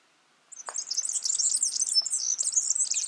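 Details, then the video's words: Song of a wild yellow-fronted canary: after a brief pause, a rapid, jumbled stream of high chirps and sweet twittering trills continues steadily, with a few faint low clicks early on. "Suara burung Mozambik gacor di alam"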